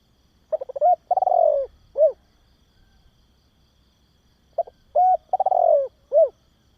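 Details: Spotted dove coo for stimulating and training young doves: two full phrases about four seconds apart. Each has quick stuttered notes, a steady held coo, a falling rolled coo, and a final arched note, in a quiet background.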